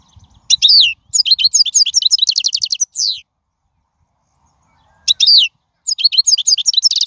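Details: European goldfinch in the wild, song meant to teach young birds: bursts of bright tinkling twitters and rapid trilled phrases, a short pause after about three seconds, then the jangling song starts up again.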